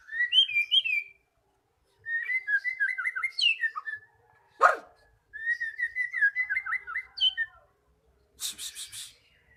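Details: Magpie-robin song meant to prompt a stalled bird to sing: high whistled trills, chattering runs of rising and falling notes, one loud crack, and a closing buzzy burst.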